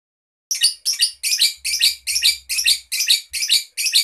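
A young bird sings a steady run of harsh, high chirps, about two to three per second, each note short and scratchy, with no other sounds.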